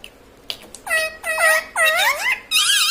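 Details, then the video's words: Indoor talking parrot, saying words like mummy and papa; a few clicks, then a series of loud curved, swooping syllables in quick succession, ending in a higher wavering tone. "mummy bolne wala tota - Papa Bolne Wala Tota - Talking parrot - Mitthu Mitthu"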